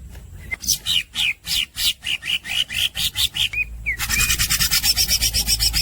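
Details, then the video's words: Cucak hijau (greater green leafbird) delivering nonstop los dol gacor song: a rhythmic series of sharp slurred notes, one after another, then two clear whistled upslurs and a fast stream of harsh buzzy pulses. "Green-gray cucak bird, lossdoll shot, fast fishing gacor"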